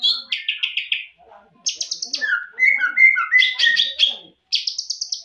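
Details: Champion greater green leafbird song for tutoring: a quick stuttering trill, then a pause, a high buzzy rattle, a string of clear whistled notes stepping downward, and a final rapid high trill.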